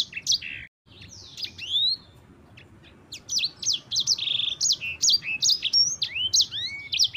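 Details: Yellow-fronted canary, a caged bird kept as a song tutor, singing a long rolling song of sharp high chirps, rapid downslurred whistles and short trills, loud and clear over a low background hum.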